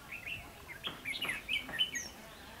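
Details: Red-whiskered bulbul used as a decoy to trap wild birds with a long-pole trap, recorded 22 October 2016; lively, bright chirping phrases with short warbled notes, slurred up and down, in quick bursts, faint background noise.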